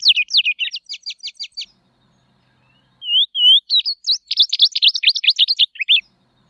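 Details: Tropeiro seedeater (Sporophila beltoni), song.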